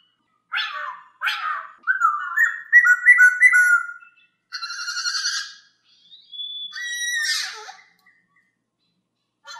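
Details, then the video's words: Tutor song of a masked laughingthrush for training other birds: two sharp harsh notes, a rising run of stepped whistles, then buzzy chatter and a thin high whistle with a scratchy note. "MASTERAN AMPUH; SUARA POKSAY HONGKONG JERNIH"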